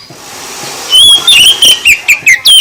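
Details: Oriental magpie-robin delivering a provoking song to other birds: one long clear whistle, followed by a quick series of loud whistled and downslurred notes, roughly six in under two seconds.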